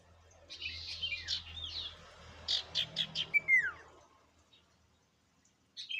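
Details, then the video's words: Common iora (sirtu) song used as a lure: soft buzzy chattering over a low hum, then a run of five crisp chirps and a falling whistle, followed by near silence and one final chirp. "Burung sirtu gacor Variasi Isian Siulan Paling Mewah!"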